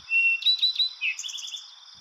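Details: Eastern towhee (Pipilo erythrophthalmus) sings its iconic "drink-your-tea" song: a clear opening note, quick higher notes, then a fast buzzy trill, all within two seconds; trill timing can vary between song neighbourhoods.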